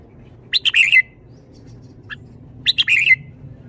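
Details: Caged red-whiskered bulbul showing its song phrasing in the "shaking bottle" style: two bright, quick warbled phrases about two seconds apart, each ending in a short clear note, with a faint single note between them.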